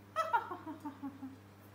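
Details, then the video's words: A male grey parrot, which learned to laugh in different voices, gives a short run of voice-like "ha-ha" laughter, four choppy syllables falling in pitch over about a second, against a steady indoor hum. "Попугай Жако Смеётся !!! Parrot Jaco Kevin Laughs !!"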